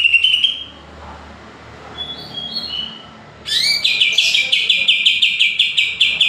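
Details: Greater green leafbird singing: a clear high whistle, a gap, then rapid repeated bright chirps in a fast, steady series near the end.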